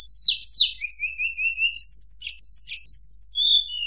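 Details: Murai buluh song: loud, high whistled phrases, first sharply falling slurs, then a steady string of short wavering notes, then bright rising-falling chirps ending in a drawn-out descending whistle; no other sounds.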